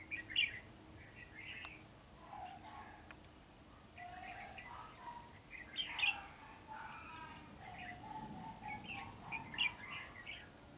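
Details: Red-whiskered bulbul, described as spreading its wings like a butterfly, singing short chirpy warbled phrases of bright notes with lower mellow notes, repeated every few seconds over a steady low background hum.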